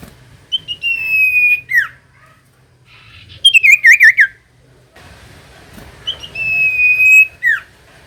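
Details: Common iora song for coaxing a reluctant bird: a long level whistle ending in a drop, a quick trilled wavering phrase, then the long whistle and drop repeated, over low hum.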